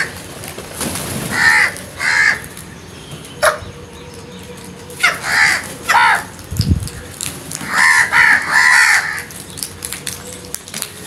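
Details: Crow calling in scattered bursts: harsh, nasal caws given in pairs and short runs, separated by quiet gaps, with a low thump and faint background noise between calls.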